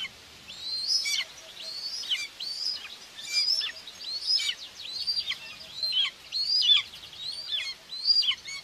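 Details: Common buzzards in Tiszalök, Hungary, on June 2, 2024, a mother feeding two young at the nest; clear, shrill whistles that rise and then drop steeply, coming in a regular series of about a dozen calls.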